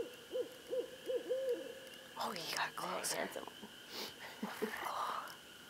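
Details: A barred owl, lured closer by a person calling, sounds a rapid run of about five clipped, rising-falling hoots in the first two seconds, followed by rustling and muffled noises; a constant electrical hum runs underneath.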